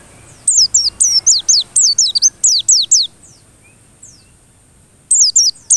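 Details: White-eye singing persistently, used as a lure recording: a fast run of shrill descending whistles, a pause with faint distant chips, then the song resumes.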